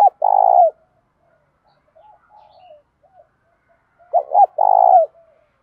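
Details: Spotted dove cooing for training wild-caught birds: a long vibrating coo opens, soft scattered notes follow, then a full phrase of two short hooked notes and a long buzzy coo.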